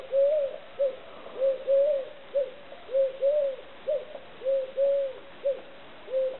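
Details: Rhythmic three-syllable cooing of a Eurasian collared dove, a brief note, a longer swelling coo, then a short final note, repeated five times in steady succession against a quiet backdrop.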